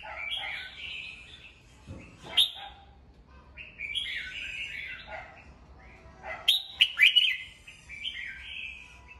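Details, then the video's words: Captive red-whiskered bulbul in morning song, meant for voice training of other birds: soft slurred whistles at first, then a loud clipped phrase of quick liquid notes near the end, with sharp ticks. "Chào mào hót sáng, luyện giọng chào mào, kích bổi vào lửa"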